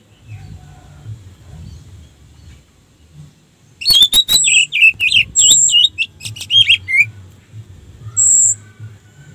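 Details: Orange-headed thrush singing, a recording used as a lure to rouse other thrushes into song. Near silence for about four seconds, then a loud, fast burst of varied warbling notes and high thin whistles, followed by one more whistle.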